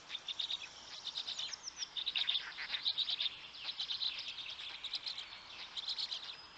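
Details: At a black stork nest in Noteć Forest, Poland, early on 19 May 2020, a parent feeds the storklets; rapid shrill chirps in pulsing bursts, about one burst per second, with thin whistled notes.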